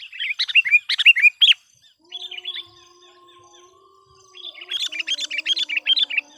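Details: Sooty-headed bulbul used to call wild bulbuls, delivering bursts of fast bubbly chirps, a softer pause with a faint steady low tone, then another lively warbled run.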